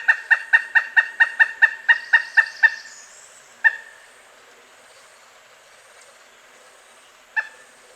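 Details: Pileated woodpecker giving a fast run of about eleven loud, evenly spaced kuk notes over three seconds, then two single notes after a pause, in otherwise quiet surroundings.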